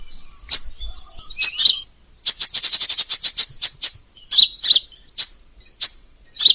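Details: A crimson sunbird (Aethopyga siparaja), in a song-tutoring recording with many variations, sings thin, high chirps, then a quick, even trill of a dozen sharp notes and scattered squeaky phrases.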